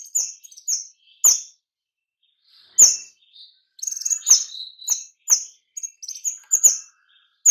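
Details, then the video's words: White-rumped shama lure song for attracting and stimulating other shamas: irregular volleys of piercing high whistles with clicky starts, a pause, then a denser run of notes toward the end. "pancingan kemade nembak suara rapat cocok untuk pikat kemade lain agar lekas gacor!"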